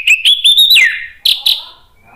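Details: Orange-headed thrush song, agitated, used to provoke other birds into singing: loud whistled notes held near one pitch, then a slurred descending phrase, followed by two sharp bright notes and a fading thin whistle.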